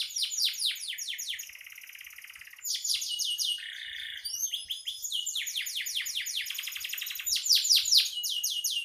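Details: Canary singing in full, lively form, used as a master song for training songbirds: a rapid stream of high trills and rolling phrases, with a buzzy tour near the middle and a sweet whistled note, then fast repeated chirps.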